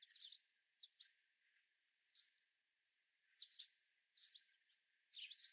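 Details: Hungry sparrows, American Tree and White-throated, crowding a platform feeder in a winter storm; faint high scratchy chips and twitters come in clusters about once a second, with quiet gaps between.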